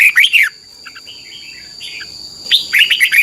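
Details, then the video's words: Red-whiskered bulbul from Thailand, song played to teach young birds to sing. A quick cluster of bright, dipping whistled notes ends, soft faint chirps follow in a short gap, then a new rapid phrase begins. "นกกรงหัวจุก, 30 นาทีทุกเช้า เพื่อให้นกเรียนรู้ที่จะพูดได้อย่างรวดเร็วและหนักแน่น"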